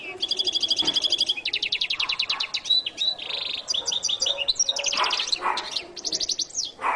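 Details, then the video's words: Goldfinch singing rapid, evenly repeated trills, a buzzy note, then mixed high chirps and twittering phrases in an unbroken stream. "canto de jilguero latino"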